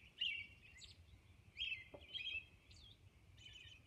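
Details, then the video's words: On Orcas Island at dawn, a robin gives a few loud whistled phrases separated by short gaps, fainter chirps between them, a single soft click partway through. "Dawn Robin Song"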